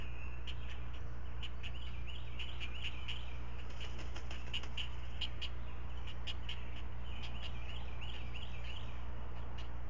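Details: Nest-cam recording of four great blue heron chicks receiving breakfast from a parent regurgitating fish; clustered sharp clicks and bouncy chattering phrases throughout, low background hum.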